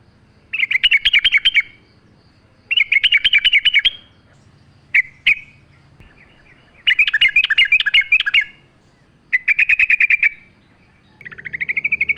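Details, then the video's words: Sooty-headed bulbul song used as a training lure, set with nature sounds: bursts of rapid bubbly chattering notes around mid-high pitch, each lasting about one to one and a half seconds, repeated with short pauses, ending on a rising whistle. "pancingan trucuk gacor mewah full suara alam"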